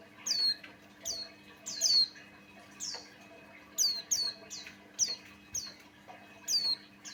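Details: Buxtoni white-eye singing as a lure for other white-eyes: high, thin, downward-slurred chirps repeated roughly once a second, sometimes doubled, over a faint steady hum.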